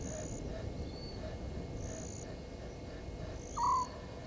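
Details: At Gowrie dam waterhole, Djuma Game Reserve in South Africa's Sabi Sand Wildtuin, 00:40 on 17 November 2019, a Southern white-faced owl utters one brief, low, falling hoot near the end, while insects pulse steadily high above and a low hum persists.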